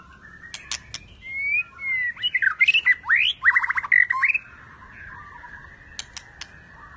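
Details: White-rumped shama singing in a contest at a bird farm aviary: a burst of loud whistles, sweeping slurs and rapid trills mid-clip, framed by sharp clicks and quieter background notes.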